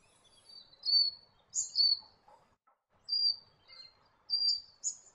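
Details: White-breasted Robin in south-western Western Australia giving thin, high whistled notes, some slurring downward, in small bursts about every second, over a quiet outdoor background.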